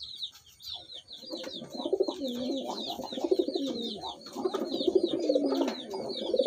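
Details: Pahadi (hill) pigeon pair giving repeated deep, rolling coos that rise and fall in phrases of about a second. Quick, high chirps from small birds continue overhead throughout.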